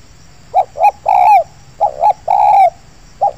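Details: Loud, close spotted dove at an oil palm plantation, a wild bird drawn in by luring, repeating its phrase twice: two clipped notes and a long rich coo, then the phrase starting again.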